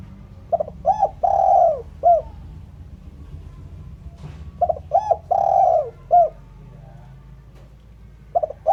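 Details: Luring call of a spotted dove: two full phrases of quick introductory notes, a long sliding coo and a short tail note, about four seconds apart, over a faint low background hum.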